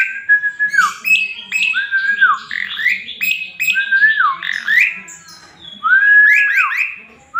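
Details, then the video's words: Male jalak suren (Asian pied starling) in rich, varied song used as tutor material: looping whistles that dip and rise, interleaved with scratchy chirps, ending in a rapid burst of high ticking notes. "JALAK SUREN GACOR JANTAN FULL ISIAN"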